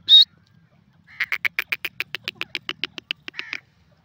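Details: A francolin: one sharp high squeak, then after a pause a rapid rhythmic rattle of short clipped notes, about five per second, slowing slightly at the end.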